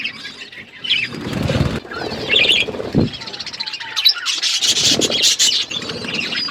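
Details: Budgies chirp while eating: scattered soft chatter at first, a few low thumps and rustles midway, then a louder burst of overlapping high, twittering chirps toward the end.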